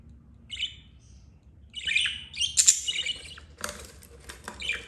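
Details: Budgie mother with four chicks, two yellow two green, the eldest 32 days; scattered thin chirps, a louder scratchy chatter near the middle and a noisy rustle toward the end.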